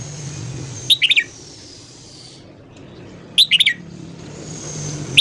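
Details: Morning song of a red-whiskered bulbul, used for voice training: brief, lively bursts of three or four sharp, clear notes, repeated after long pauses, with a faint steady background hiss.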